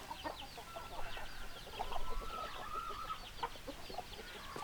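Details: Hens clucking in a flock, with dense short clucks layered over each other and a drawn-out flat note held for about two seconds in the middle.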